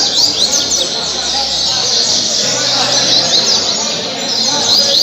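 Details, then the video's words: Caribbean seedeater singing, a prized songbird from Angra dos Reis, Brazil, delivering dense high twittering trills and fast slurred notes in continuous overlapping phrases, with other birds chirping around. "Coleiro caribe 226 cantos o melhor coleiro de angra"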